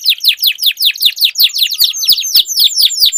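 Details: Canary song duel: loud, rhythmic series of harsh downward-sweeping notes repeated roughly five times a second, steady and forceful with faint clicks beneath.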